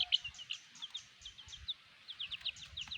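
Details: Chicks with their black mother hen keep up a busy chatter of bright, slightly falling peeps, several overlapping, against a soft low rumble.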